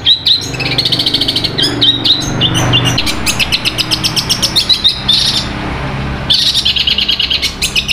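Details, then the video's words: A Sapudi long-tailed shrike, a competitive songbird, sings a fast, unbroken stream of high chips, trills and harsh scratchy notes, copying other sounds, with a low hum underneath. "Cendet Sapudi suara kuntilanak nyambung gereja petir materi mewah gacor"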